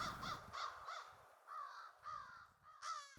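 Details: A summer flock of American crows, some known individuals, gives about seven harsh, hoarse caws, quick at first and then longer and drawn out, with faint low rumbling in the background.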